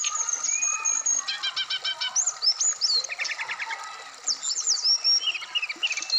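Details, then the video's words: Varied, full song of a Black-throated laughingthrush kept in a cage and placed out in the dew: stacked rapid trills, sharp upslurred whistles and buzzy chattering phrases running continuously without pause. "terapi srdc biar cepat bunyi wikplong Dan gacor full variasian"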